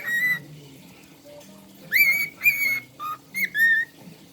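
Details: A female cockatiel sings a string of clear, whistled notes, some rising then holding steady.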